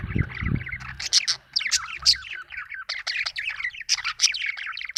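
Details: Budgerigar giving rapid warbling chirps and sharp squeaky notes in quick succession, with a low thud at the start.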